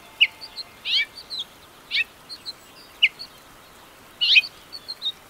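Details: House finch singing: bright chirps and short buzzy slurred bursts roughly once a second, each cluster sweeping down in pitch, with small high twitters between them and quiet background hiss.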